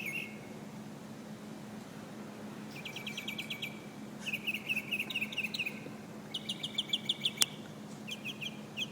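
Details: Nightingale singing in Alexandria: phrases of rapid repeated high notes, each burst a quick trill or stutter of sharp chips, separated by short pauses, over a steady low hum.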